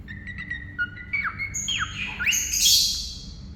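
A cockatiel whistles a short tune of clear notes and sliding sweeps, then breaks into a harsh screech.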